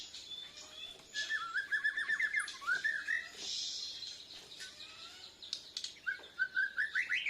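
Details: White-rumped shama from Borneo practicing continuous song in reply to a lure track, breast feathers fluffed; quick trilled runs of short whistled notes, pauses between bursts, soft hiss and a high steady tone behind.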